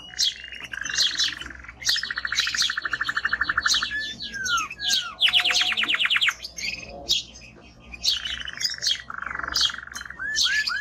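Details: Male timbrado canary in strong song, delivering long rolling trills of rapid repeated notes, slurred whistles and high chips, alternating low buzzy rolls with brighter fast-pulsed passages.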